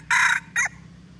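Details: Lure call of the Aceh red junglefowl for luring birds: two loud, harsh, broad bursts, a longer one then a shorter one, over a low steady background hum.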